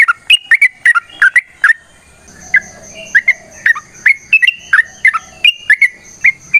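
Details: Rapid fighting song of a yellow-vented bulbul, meant as a lure and tutor recording: a fast run of gurgling notes, a brief pause, then more bubbly rising-and-falling phrases, with a thin constant high tone behind them.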